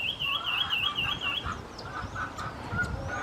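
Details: Lemon-chested greenlet calling in Atlantic Forest: a fast, wavering trill of rapidly warbled notes lasting over a second, followed by softer scattered chips, with light background noise.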